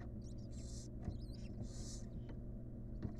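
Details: Barn owl nest box with wild birds where the last of six nestlings hatched today: two long rasping hisses mixed with thin wavering squeaky chitters and soft clicks, low steady hum underneath.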